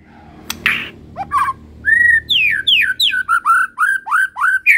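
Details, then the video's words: Medan white-rumped shama in full singing form with plenty of fill phrases. A long steady whistle opens, then a rhythmic string of falling, slurred whistles. Faint low room noise underneath. "burung murai batu medan!!! FUll isian 100 ikut GACOR..!!!"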